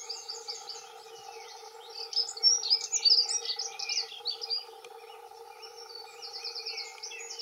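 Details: Male dunnock territorial song, two males singing: rapid, tinkling high-pitched warble that swells loudest around the middle, with dense jumbled notes and a short burst near the end; steady low background hum.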